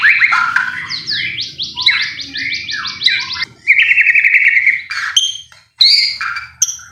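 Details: Provocation song of a white-rumped shama meant to excite caged birds into singing: a rapid run of repeated clipped notes, a sustained trilled phrase, then sharp isolated high whistles.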